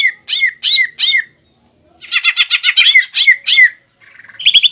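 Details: Greater green leafbird in full fighting song, packed with mimicked phrases and meant to rile a rival. Three hoarse, arched notes, a short silence, then a fast string of harsh repeated notes ending in bright chattering.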